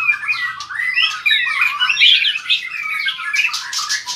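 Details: A caged white-rumped shama, a fiery long-tailed bird singing hard while flicking its tail, pours out a rich continuous warble of varied whistled and rasping phrases, dense and fast with no pauses.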